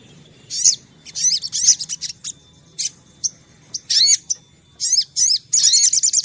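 A sunbird sings high, thin, twittering phrases of quick chirps and trills in bursts, ending in a fast run of repeated sharp notes; faint low hum beneath.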